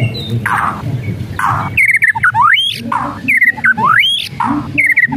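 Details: White-rumped shama whistles and rattles used as a lure to provoke a lazy bird into singing: short descending whistled notes, then a sliding whistle rising steeply, repeated about every second, between harsh broadband rattling bursts.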